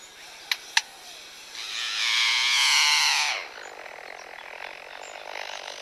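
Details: Chook, a male Superb Lyrebird at Adelaide Zoo, mimics nearby construction work: two sharp clicks, then a harsh, grinding whine like a power saw or drill for about two seconds, over a steady low hum.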